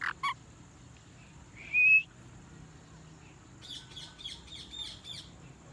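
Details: A parrot chirps loudly: two quick, sharp high notes, then a short, bright, rising whistle. A run of softer, rapid, scratchy chirps follows near the end over faint background hiss.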